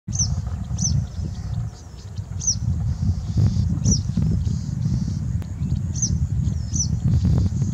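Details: Citrine wagtail (Motacilla citreola), call.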